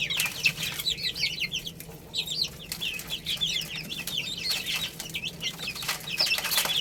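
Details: Chicks eating rice utter long runs of rapid, repeated high chirps, several birds overlapping, with sharp pecking clicks scattered through.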